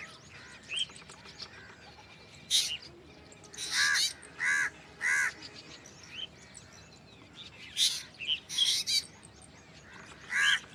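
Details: Black drongo uttering loud, nasal, crow-like rasps in irregular clusters, with a few sharper, higher chirps between them.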